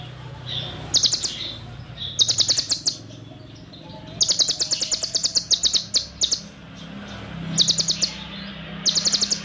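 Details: Olive-backed sunbird in full shooting song, sharp very high chirps fired in rapid, dense series. Several extended bursts of tight, long cililin fill-in run through, separated by brief quieter gaps.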